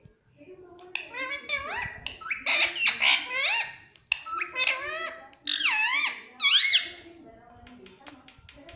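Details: Pet parrot that has learned to say "mummy papa", recorded indoors: loud, harmonic, voice-like syllables with swooping pitch glides, delivered in two bursts of chatter separated by a brief pause.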